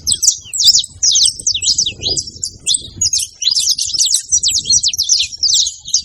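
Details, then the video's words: Wild saffron finches singing freely in nature, giving rapid, bright, high-pitched chirps in tangled overlapping runs, with a soft low background rumble. "festival de canto de canário da terra livre na natureza"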